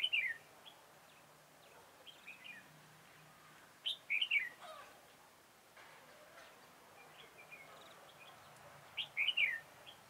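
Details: During a bulbul trapping session on 4 February 2018, a red-whiskered bulbul sings brief lively phrases of fast up-and-down notes, repeated roughly every four to five seconds, with soft faint chirps between.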